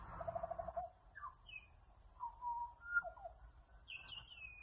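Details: An Australian magpie in Australia carols: a fast rattling burst, then loose fluty warbles and a few high, squeaky whistled notes, in a quiet low background.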